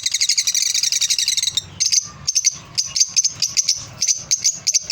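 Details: Lovebirds in a happy mood: a fast, shrill twittering run for the first second and a half, then separate high, sharp chirps repeated at uneven intervals.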